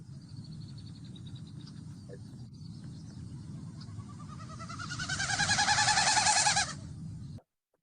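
A Wilson's Snipe's bouncy song: quick repeated chip-like notes, about three a second, building louder toward the end over a steady low rumble.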